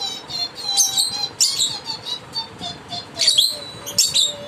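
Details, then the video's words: A lovebird sings along with a person indoors: shrill, scratchy bursts of chirps, four or five quick volleys in as many seconds, over the person's faint low hum. "Love Bird - Singing after me"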